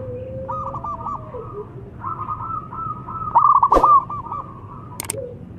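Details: Zebra dove of local stock used as a singing lure for mute doves: a long run of soft rolling coos, then a louder bubbly trill near the end, with a sharp click and low steady hum behind.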